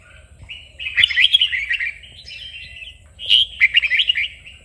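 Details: Red-whiskered bulbul singing for song training, meant to fire up a bird: two loud bursts of rapid, bubbling warbled notes, separated by softer trailing phrases.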